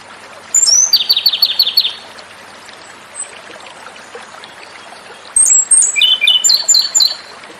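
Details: Japanese robin song in two phrases: each opens with very high thin notes, then breaks into a rapid, even, rattling trill of about a dozen notes. The phrases are separated by several seconds of quiet.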